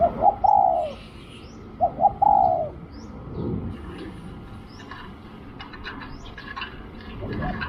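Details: Spotted dove at a decoy-luring spot, cooing twice in quick phrases of short hoots and a longer falling note, then only a rustling, clicking background with faint scattered chirps.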